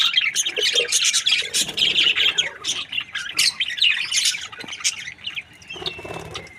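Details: Happy budgerigars chattering in a busy mix of scratchy chirps and short squeaks that crowd the first half, then thin out into scattered calls and a few drawn whistles.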